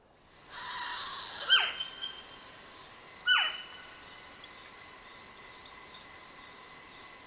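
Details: North American owl: a harsh, hissing burst, then two sharp calls about 1.7 seconds apart, each sliding steeply downward, over a faint steady hum.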